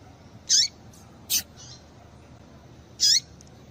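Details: Female seedeater calling to stimulate males: three short, sharp high chirps, each sliding downward, spaced irregularly over a few seconds against a quiet, faintly hissing background.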